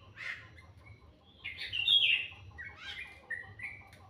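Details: Sparse morning bird calls: a few scattered whistles, then a loud rising chirp burst near the middle, followed by softer short notes.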